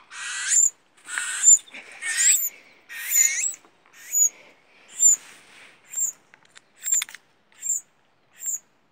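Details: Baby tuis being fed at a bird rescue, giving high, thin squeaky begging calls in quick clusters, then sharper separate squeaks about once a second as the feeding goes on.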